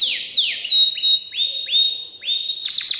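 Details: Excited canary singing a series of clear whistled notes, first two broad downslurs, then bright upswept notes repeated roughly every third of a second, ending in a quick cluster of high slurred notes.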